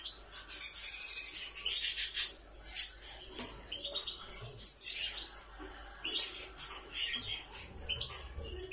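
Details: Nightingale song of rapid high buzzy twitters and chirps, dense at first, then broken into short varied bursts with a brief sharp note midway.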